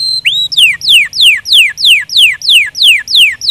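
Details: Canary song phrase: after a brief rising whistle, piercing whistles sweep steeply downward, repeated at a steady pace of about three per second.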